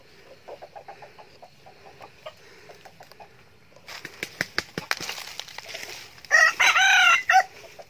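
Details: Soft repeated clucks from a young male red junglefowl, a keen-crowing decoy bird filmed in 2019, give way to wing flaps and rustling, then a single bright crow with a rising, wavering middle near the end.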